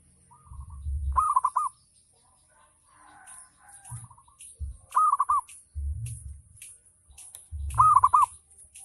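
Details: Local zebra dove singing ngayer lure song to get other doves calling: three loud rolling coo phrases among softer distant coos, interrupted by low thumping bumps and scattered clicks, with a steady high hiss throughout.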